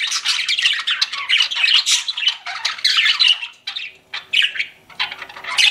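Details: Pet budgerigars chirping, several birds together: a busy, high-pitched warbling chatter of squeaks, clicks and short whistles runs almost without a break, with brief pauses and louder bursts throughout, heard in a quiet indoor setting.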